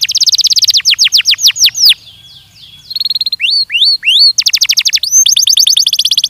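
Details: Belgian canary song recorded for training: a rapid downswept trill, a soft pause, rising upslurred whistles, then another quick rolling trill of bright notes.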